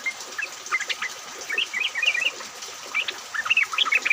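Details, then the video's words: Yellow-vented bulbul lure recording of a chattering group, used to set other bulbuls singing, recorded in rain; overlapping liquid whistles and quick chirps tumble irregularly, growing busier toward the end, with a constant background hiss. "pancingan trucuk agar bunyi, pancingan trucuk ombyokan, trucuk gacor!"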